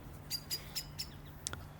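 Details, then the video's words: Common blackbird, possibly a starling instead, making excited contact calls in a wet sclerophyll park in Australia: four sharp, high chinking notes about a quarter-second apart, then a brief different chip, over a low background hum. "here's a common Blackbird making excited contact calls"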